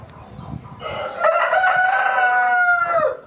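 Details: Rooster giving a single drawn-out crow, rising into a level, ringing tone held over two seconds, then dipping and fading at the close; faint low background noise before it begins.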